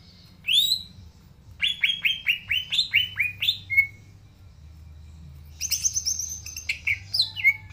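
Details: Green leafbird in varied song: a rising whistle, a quick series of downward-sweeping whistled notes, then a pause and a high chattering run with sharp upslurred notes.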